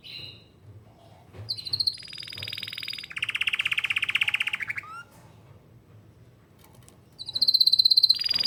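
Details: Canary singing a rolling song: a sustained buzzy note, then a long rapid trill of evenly pulsed notes lasting about two seconds, a quiet pause, and a final high buzzy rattling trill.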